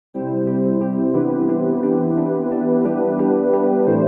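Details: Sustained electronic organ and keyboard chords play steadily, with no other sounds present.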